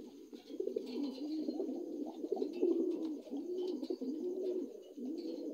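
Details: Low rolling cooing from a dun Lahore pigeon, new adult, in an indoor space; throaty phrases swell and fall in arching bursts about every second, louder near the middle, with light clicks behind.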